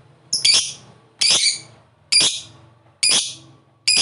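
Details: Caged lovebird, a fighter-type bird, giving harsh, buzzy squawks in short bursts about once a second. The bursts are loud and high with noisy edges, and faint low hum sits underneath.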